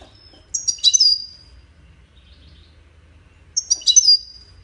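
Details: Wiydani-type European goldfinch from Salé uttering two matching short phrases about three seconds apart, each a quick cluster of sharp, liquid, high twittering notes ending in a thin slurred whistle.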